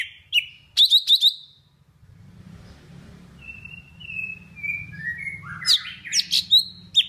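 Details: Golden-fronted leafbird from Vietnam, singing as a lure for trapping birds: sharp high chips in quick bursts, then a string of clear whistled notes stepping downward, ending in buzzy high phrases, over a low rumbling background.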